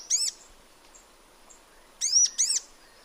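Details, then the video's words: In its natural habitat a sunbird gives one bright arched chirp, pauses nearly two seconds with faint ticks, then two more sharp high chirps close together. "Sunbird Singing Sounds"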